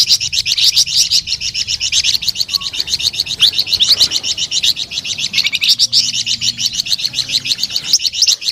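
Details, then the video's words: Flamboyan bird singing without pause, a dense, buzzy, high-pitched chatter of rapid pulsing notes sustained for the whole stretch. "SUARA MERDU DAN GACOR BURUNG FLAMBOYAN"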